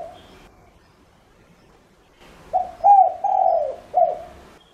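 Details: Decoy spotted dove calling to attract other doves; after a near-silent stretch, one four-note hoarse coo phrase with a drawn-out, falling third note.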